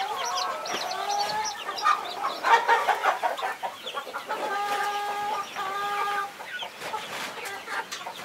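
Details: Mother hen protecting her 21 chicks: a run of harmonic, nasal clucking calls repeated in quick irregular bursts, with high thin peeping from the chicks scattered above.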